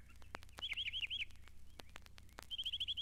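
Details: A Northern Mockingbird, Florida's state bird, sings in the Mountain Lake Sanctuary at Lake Wales, Florida: a run of about six wavering high notes, then a faster burst of eight, against crackling clicks and a low hum.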